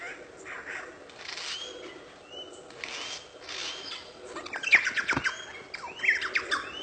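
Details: Lyrebird, a ground-dwelling Australian bird, singing a varied run of mimicked sounds: soft whistles, short upslurred notes and a closing burst of rapid chattering and sweeping calls.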